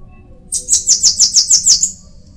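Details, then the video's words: A bananaquit delivers a tight burst of seven very high, wheezy, down-slurred notes in rapid even succession, ending in a thin trailing buzz. "Canto de sibite"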